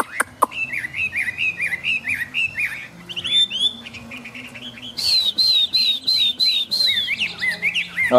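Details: Singing Chinese hwamei, tame and fanning its plumage in rainy weather: repeated bouncing whistled phrases, a brief twittering passage, then a burst of very high, rapid whistles and a final rising note.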